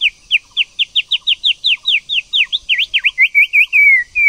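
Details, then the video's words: A female White-rumped shama urges a male to sing with a rapid, even series of about twenty short, sharp down-slurred whistles. The notes turn to V-shaped chirps and end in a drawn-out falling whistle. "TIẾNG CHOÈ LỬA MÁI TRỐNG/CHOÈ LỬA MÁI TẠC KÍCH TRỐNG"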